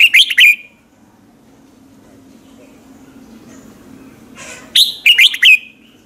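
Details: Red-whiskered bulbul lure song recorded in the morning; a short whistled phrase at the start and another of four bright notes near the end, preceded by a brief rasp.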